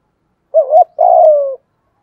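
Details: Single phrase from a decoy spotted dove meant to trigger other doves' cooing: a wavering short note followed by a steady, slightly falling rolled coo.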